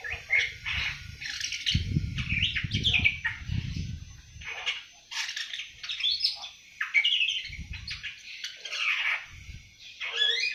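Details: Awar-awar aged seven months practising song, an almost continuous chatter of high chirps, squeaks and short whistles, with bursts of low thumping or fluttering in between.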